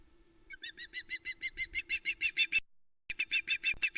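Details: On 1 September 2020, a female osprey on the Loch Arkaig nest cam gives repeated high, whistled yelps that grow louder and more urgent, about three per second, as the male brings a live flatfish. A brief gap comes before a second burst.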